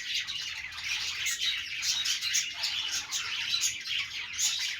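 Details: Budgies playing together: lively, high-pitched tweeting and twittering, several birds calling at once in a constant, bubbling chorus.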